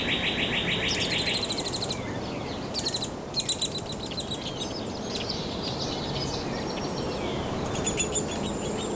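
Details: Downy Woodpecker nestlings, at least three, beg inside a nest cavity as adults visit to feed them in late May to early June, with a fast, rattling chatter, then high, buzzy bursts that come and go, over a steady background hiss.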